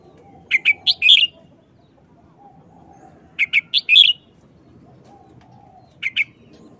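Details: Caged red-whiskered bulbul singing a short, fast 'wild song' style phrase: bright whistled notes in quick bursts of four or five, repeated about every three seconds, with a shorter two-note phrase at the end and soft cooing beneath.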